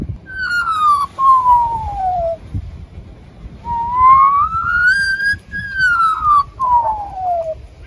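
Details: An Australian magpie in Newcastle, NSW, which learned fire engine and ambulance siren calls, imitates a siren with long, pure whistled wails that slide down, then climb and fall again, over faint background rumble. Finding: Australian magpie.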